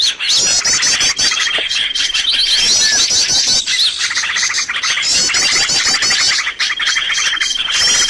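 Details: Trapping lure of excited bird chatter: layered high twitters, long steady whistles and rapid trills. The sound runs almost without pause.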